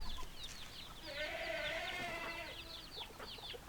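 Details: Rooster crowing among a flock of hens: one sustained, harmonic crow of about a second and a half rises out of constant high, short chirping peeps and scattered clucks.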